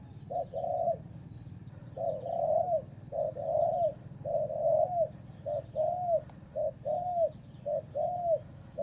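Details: A wild spotted dove, lured by a decoy, coos in rhythmic phrases: a short note followed by a longer, arched coo, repeated roughly every second, with a steady high insect drone.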